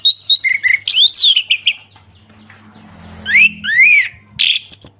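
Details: Ngeplong song of an orange-headed thrush: chattering high notes and rising, swooping whistles, with a noisy rushing patch in the middle and a low hum behind.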